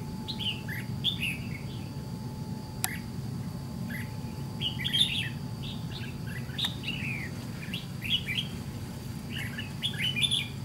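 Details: White-cheeked red-whiskered bulbul drawn by a decoy bird in fight trapping: steady series of chirped, slurred phrases across the clip, two sharp clicks, and continuous low background rumble.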